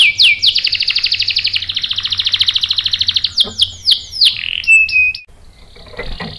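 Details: Canary lure song to prompt males to sing: a few quick notes, then a long, dense, rolling trill, breaking into descending slurs and short flat whistles before fading out.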